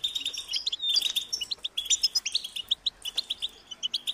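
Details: High-pitched, insistent food-begging calls of European goldfinch chicks directed at their parents; a rapid train of sharp chirps and twittering notes, growing more spaced and rhythmic toward the end.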